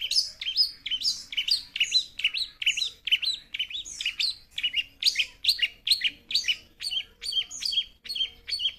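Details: Young long-tailed shrike, described as having a fighting spirit and a song full of varied fillings. It gives a rapid, continuous run of high chirps and sweeping whistled notes at about two per second, busy and scratchy, with little background sound.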